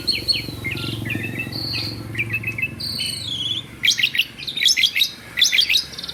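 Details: Kept Asian pied starling in nonstop song, mixing flat whistles, quick trills and rising notes, then clusters of sharp clicking chips, over a low hum.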